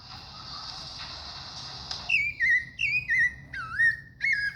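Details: Thrush (sabiá) song after a faint hiss: a series of separate, bright, slurred whistles with wavering upward and downward inflections, about one every half second.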